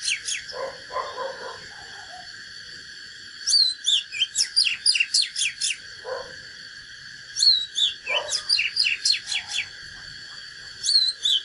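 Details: Natural Oriental magpie-robin in fighting song: three separate bursts of fast, sharp whistled notes and downward sweeps, with lower muffled warbles between them, over steady background hiss.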